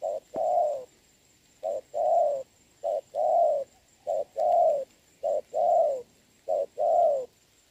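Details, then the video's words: Rainy-day contest on 26 November 2022 between a trapper's trained decoy spotted dove and a wild dove that coos well. Four rounded coo pairs, a brief note then a fuller sustained one, spaced about every 1.2 seconds. "mưa mà e bổi gù tốt"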